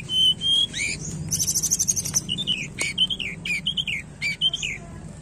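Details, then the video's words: Lure recording of tledekan song meant to get a lazy bird singing: a rapid sequence of high whistles, a dense buzzy trill and repeated short slurred notes, some rising, some dropping, delivered almost without pause over a low background hum. "Pancingan tledekan malas bunyi"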